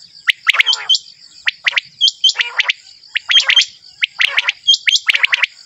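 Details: A male common quail gives sharp, liquid three-note phrases, repeated roughly once a second, over a faint steady high hiss.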